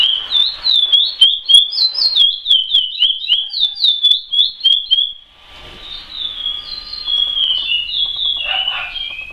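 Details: Chestnut-bellied seed finch (curió) singing in the praia style: about five seconds of rapid, evenly paced whistled notes sliding up and down, then a softer, smoother warbled continuation after a short dip.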